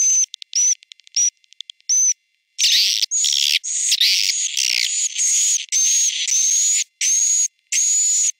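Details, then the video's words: Swiftlet roosting lure for a three-storey house: quick flickering high chirps give way to a series of long, buzzy, high-pitched notes, each roughly half a second, in a steady rhythm with brief silences. "Suara Inap Walet"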